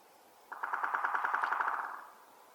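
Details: An American three-toed woodpecker in a forest gives a quick, even rattle of about fifteen mid-pitched notes over a second and a half, fading at the end.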